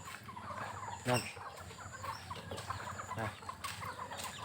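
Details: Domestic chickens, possibly bantams, gathered in front of a house around 4–5 pm waiting to be fed rice, clucking in a busy, overlapping chatter of short murmured notes, with a couple of louder harsh squawks breaking through.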